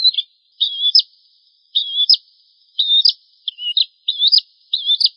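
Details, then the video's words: Bar-winged prinia singing a tutor song for cage birds, with six quick high phrases of buzzy trill and a sharp closing chip, repeated at a brisk, fairly even pace. "Suara Masteran Burung Prenjak Jawa"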